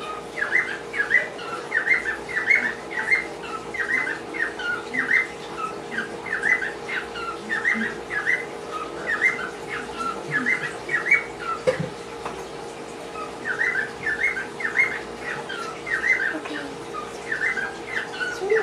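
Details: A pet cockatiel sings, whistling a quick, chirpy tune of short repeated phrases over a steady indoor hum.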